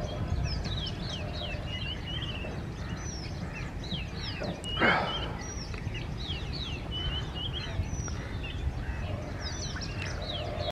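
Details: A male Oriental magpie-robin in display sings a steady stream of quick, varied whistles and chirps over a low background rumble, broken once by a brief loud rustle.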